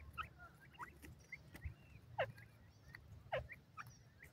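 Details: Female francolin, called desi teetar: sparse, quick upslurred chirps, two louder ones about a second apart, over faint low thumps and background hiss.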